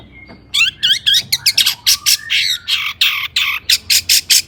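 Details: Emotional long-tailed shrike song used to get other shrikes calling: after a brief thin whistle, a burst of fast harsh squawks and buzzy scratchy notes follows in a steady, forceful sequence.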